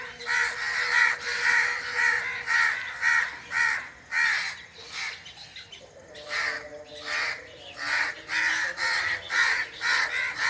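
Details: Rasping bird calls in a forest, repeated steadily about twice a second for ten seconds, briefly softening midway before resuming, with a faint hum underneath.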